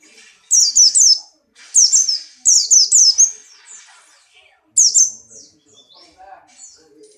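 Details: In strong breeding condition, a Buxtoni white-eye jumps about and delivers rapid runs of piercing, downward-sweeping chirps in close groups, then a single burst, followed by quieter twittering notes.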